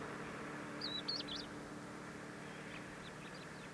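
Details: Crested lark giving a few clear whistled notes, sliding and looping around a high pitch over about a second, then fainter similar notes later; steady low background rumble like distant traffic.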